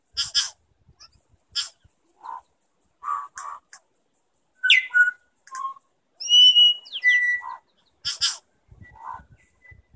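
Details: New Zealand bellbirds at Gore Bay, New Zealand, trade rich, ringing notes, mixing clear bell-like whistles with harsh, scratchy bursts and sharp clicks in an uneven back-and-forth song contest.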